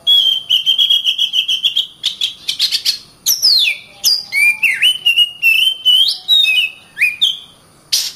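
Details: Oriental magpie-robin tutor song: a fast stuttering series of clicks over a level whistle, followed by loud downward-sweeping whistles and varied short whistled phrases.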